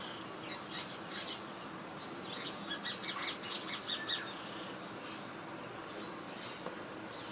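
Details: Swiftlet-like bird, recorded in Singapore in 2017 while preening, utters a quick run of sharp high chirps and twittering notes during the first half, then falls quiet apart from faint hiss.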